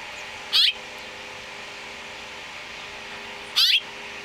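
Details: House Finch nestlings in Utah, in a nest built in a front-door wreath, being fed by their mother: two brief, high, squeaky bursts about three seconds apart over a soft background hiss.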